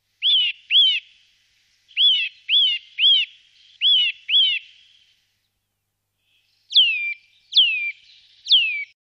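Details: Eurasian nuthatch in the Wittlich valley, Germany, recorded in 2018: loud, clear whistled notes in quick pairs and a run of four, then three sharper, sharply down-slurred whistles after a pause. There is no other notable sound.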